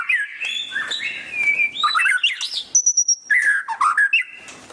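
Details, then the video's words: Training recording of a white-rumped shama's loud ngeriwik chatter: warbled whistles, a sustained pure high whistle, then renewed quick chattering notes. "Suara Burung Murai Batu Ngeriwik kenceng"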